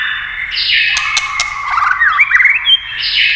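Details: White-rumped shama singing with tail-tapping sounds to spur it on: a sustained whistle, then a run of looping, slurred notes and a rising phrase, with a few sharp clicks.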